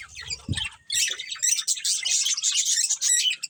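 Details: Breeding budgerigars in a colony: softer, scattered chirps at first, then from about one second a loud, continuous wall of high, buzzy twittering and squeaky chirps.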